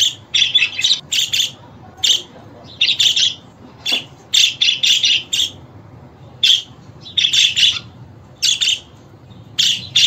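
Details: Budgerigar producing clusters of gritty, high-pitched chirps broken by short silences, with several quick doubled and tripled notes.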